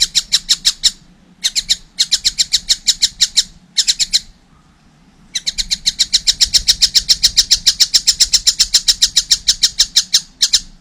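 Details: Young collared kingfisher calling with bursts of rapid, grating notes, a longer silent pause, then a sustained fast series of harsh notes.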